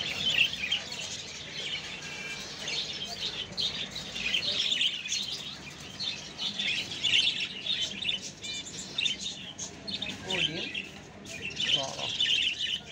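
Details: Crested budgerigar pair chatters continuously with bright, scratchy warbles and quick chirps.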